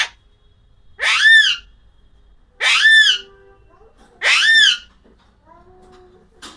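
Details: An Alexandrine parakeet screeches three times at a steady pace of about every 1.6 seconds. Each loud, arched, ringing call rises, then drops, and faint softer tones sound between them.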